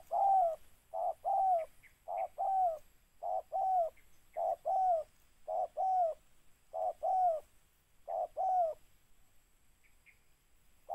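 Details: Spotted dove in a steady run of about nine coo phrases. Each is a quick low note and then a longer, falling, mellow coo, repeated at an even pace before stopping near the end.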